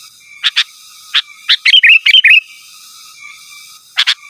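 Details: Sooty-headed bulbul singing vigorously to call rivals, with no other species mixed in; scattered clipped notes building into a run of rapid, bubbly, warbling whistles, then more short notes, over a faint constant hum.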